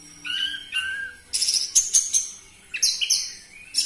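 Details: Orange-headed thrush lure song for getting captive birds to sing: two level whistled phrases, then a series of sharp, metallic, high chattering notes and short bright whistles.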